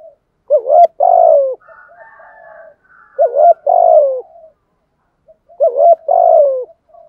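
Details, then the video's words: Spotted dove, male and female birds, calling to draw wild rivals in to fight; low coo phrases repeat about every two and a half seconds, each a short double note then a longer falling coo, with faint murmuring between. "cu gáy thúc gù gáy gọi bổi nghe rất nhanh về cội đấu"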